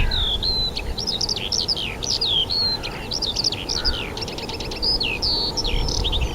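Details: Wild birds singing in spring at the Rogozyanskoye reservoir, Kharkiv region, Ukraine, on 4 April 2010: a varied, fast run of whistled and slurred notes, some rising and some falling, with brief trills, clear over faint background noise.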